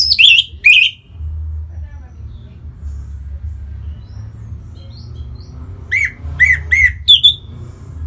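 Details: Orange-headed thrush singing to stimulate other birds to sing: two harsh, buzzy bursts of high notes at the start, then a run of three or four sharp chirps near the end, with faint thin whistles between and a low steady hum.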